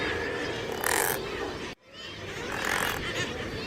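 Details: Razorbill giving rough, groaning calls, two loud grating bursts separated by a short break in sound, set against constant dense background noise like many voices and surf.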